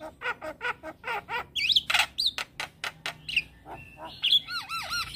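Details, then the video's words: Black-winged starling in lively full song with head-bobbing display, a varied run of harsh repeated chattering notes, then piercing whistles and wavering, looping whistled phrases at the end. "Jalak Kebo gacor manggut Manggut"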